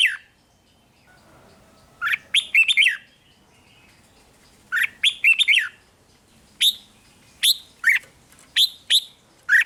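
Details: Red-whiskered bulbul singing, a recording from Thailand meant to rouse caged bulbuls: after a quiet opening, rich warbled phrases of several rapid whistled notes, followed by evenly spaced single chirps toward the end.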